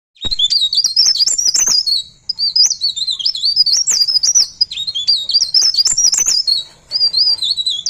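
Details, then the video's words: Pare pare bird singing in continuous rolling style: high, rapid, twittering warble of looping whistled notes, delivered in long unbroken phrases separated by brief pauses, with soft scratchy clicks beneath. "Burung Pare Pare Ngerol"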